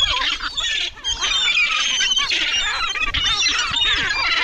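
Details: Gulls gathered in a cemetery give a dense chorus of high squealing, squawking calls, many birds overlapping almost without pause, with a brief lull near the one-second mark.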